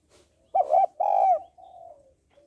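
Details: Female spotted dove calling to stimulate males. One loud, rounded double coo is followed by a quieter, trailing coo that tapers off.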